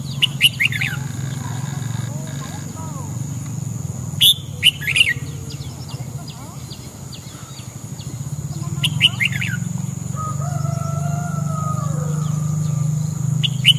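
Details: Red-whiskered bulbul singing in the morning, played to train voice and excite crest display: scattered short bright chirps and warbled phrases, clusters near the start, middle and end, over a rumbling low background hum.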